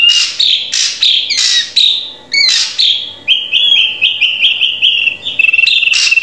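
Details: Drongo song for training a captive bird to sing: loud harsh buzzy bursts mixed with whistled notes, then a series of short level whistles repeated quickly.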